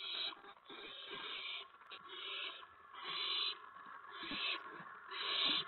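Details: April 19, 2017, near 8 PM at an owl nest, with the adults bringing food to the owlets. Soft, drawn-out hissing screeches swell about once a second over a steady rasping background.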